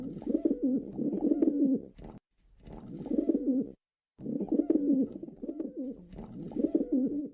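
Pigeons cooing in low, throaty, rolling bursts, one after another with brief pauses, sounding close as if in an enclosed space.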